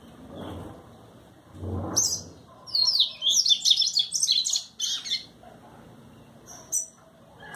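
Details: Double-collared seedeater singing in the trovão song style: a fast burst of high, twittering and slurred notes lasting about two seconds, preceded by two low soft thumps and followed by a few isolated high chips.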